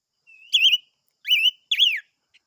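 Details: Silver-eared mesia singing: a soft thin whistle, then three loud warbled, wavering whistled phrases, each about a quarter second, with a faint click near the end; no other sounds.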